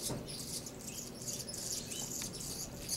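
Anna's hummingbird giving thin, scratchy, very high chips and buzzy squeaks in quick bursts, over a steady low hiss of background noise.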